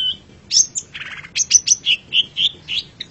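Long-tailed shrike singing a varied, high medley: sharp chirps, a brief harsh buzzy rattle, then a run of quick whistled notes about three per second.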